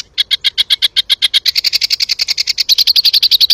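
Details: Sooty-headed bulbul singing in the 'tembakan' style for a bird-training tutor recording: quick repeated high chirps, close to four per second, the notes stepping higher in the second half and ending in bright ringing pulses.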